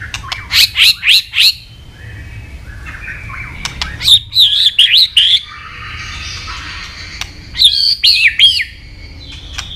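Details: White-rumped shama singing a long, varied training song in forest-voice style: three bursts of high, rapid whistled and warbled notes separated by quieter pauses, with faint soft chatter between them.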